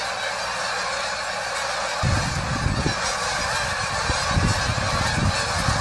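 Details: Huge goose flock found while walking, a steady din of overlapping honks joined after two seconds by heavy low rumbling and thumping from wind or handling noise.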